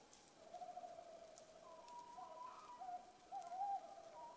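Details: Tawny owls in Estonia on 5 March 2020 at 20:37: the male gives a long steady low hollow hoot, then the female answers with a higher, wavering, tremulous call, over faint hiss.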